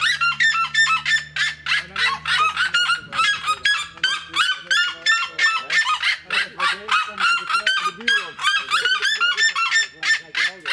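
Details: Red-legged seriemas (Cariama cristata), several birds in a zoo park in the Netherlands, 7 April 2018 (afternoon): loud, yelping, honk-like notes, about three a second, in a nonstop ringing chorus; a low hum sounds in the first few seconds.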